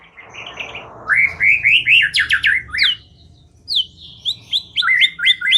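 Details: White-rumped shama song used as a trapping lure: soft murmur at first, then rising whistled notes in a quick series, a pause, and sharp high descending notes ending in a rapid ladder of short upslurs.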